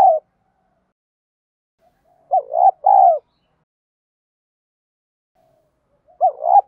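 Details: Calling coo of a spotted dove, the 'giọng đồng' style, played to train decoy birds: a pair of soft, mid-pitched coo notes, one wavering and one held and falling, then a pause and the phrase beginning again.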